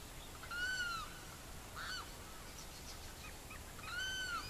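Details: Savanna hawk in Barinas, Venezuela: two drawn-out, slightly arched, harmonic calls, each about half a second long and set several seconds apart, with fainter chirps from other birds in between.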